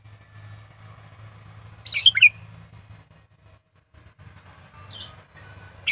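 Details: Trained decoy sooty-headed bulbul gives one short chortling phrase mid-way, with fragments of others later, over a steady low hum and background rumble.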